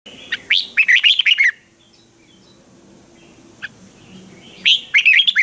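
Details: Caged red-whiskered bulbul singing a training song, lively and clear: quick bursts of bubbling, warbled notes with sharp upward and downward slurs, one phrase at the start and another near the end, with a single short note between them.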